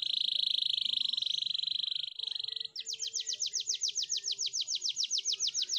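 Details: Canary singing a training song: a loud, steady buzzy trill for over two seconds. It switches to a quick series of clear down-slurred whistled notes, about four each second.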